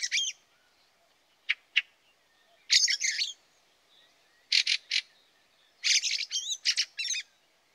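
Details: Fieldfare (Turdus pilaris) at a garden bird feeder in early snowy winter, late November 2023, gives harsh, chattering calls in short bursts, some rasping and some squeaky, scattered over several seconds with quiet gaps between.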